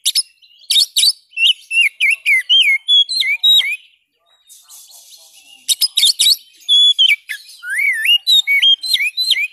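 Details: Oriental magpie-robin (kacer) song, said to help a stalled bird sing again: bursts of chips and curling whistles, a brief quiet gap with soft hissing, then more rapid rising and falling whistled phrases.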